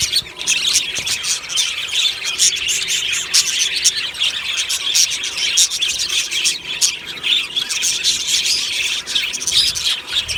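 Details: Colony of budgies singing happily in the morning, an unbroken mass of high chirps, squeaks and chattering warbles from many birds in an aviary.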